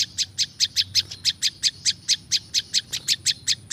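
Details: Olive-backed prinia (prinjak lumut) sound used to lure wild prinias: sharp high chip notes repeated about four to five times per second in a steady series, with a faint low hum beneath.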